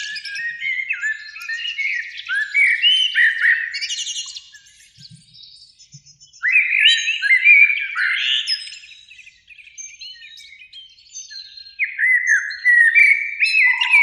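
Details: Spring evening song of a Eurasian blackbird in a beech tree by a lake, two birds singing: three loud bursts of fluting, warbled phrases separated by quiet gaps, ending on a low held whistle.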